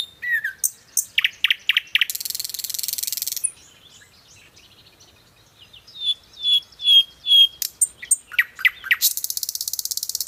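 A nightingale sings varied phrases: quick clicks, harsh buzzy rattles, and a run of pure, slurred whistles repeated about twice a second.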